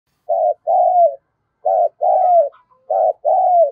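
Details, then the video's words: Decoy spotted dove cooing, stimulated to coo fast: three pairs of low coos over four seconds, each a short note followed by a longer slurred note that falls at the end. Faint higher chirps come between phrases. "tiếng chim cu mồi gáy"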